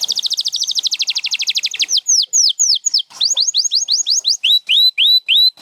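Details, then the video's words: Canary song from champion birds: a rapid rattling trill lasting nearly two seconds, followed by loud, clean curved whistled notes repeated roughly three times per second, changing pitch and shape between phrases, with no other sounds. "7 Days to a Singing Canary"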